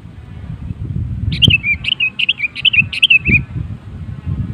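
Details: Lure song from a sooty-headed bulbul, meant to prompt other bulbuls to sing: a steady series of about eight clear, warbling whistled notes, with background rumble and a couple of low knocks.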